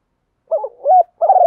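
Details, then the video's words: Decoy spotted dove calling to draw wild doves to the flock: a warbling, burry coo, then a clear rising-and-falling coo, then the start of another long coo, all soft and low against silence. "Chim cu gáy mồi gáy gọi bổi nhanh về, cu đất gáy gọi bầy"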